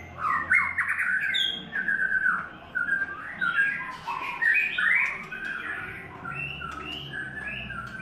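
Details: Song of a White-rumped shama in its third molt: a dense stream of rich, mellow whistles and warbled notes, rising and falling, in bursts of varied phrases with short pauses, faint background hum.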